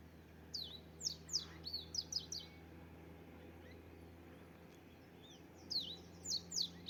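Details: Bird singing in a natural setting: two bursts of rapid, high, sharply descending whistled notes, one near the start and one near the end, separated by a quiet stretch with faint low hum.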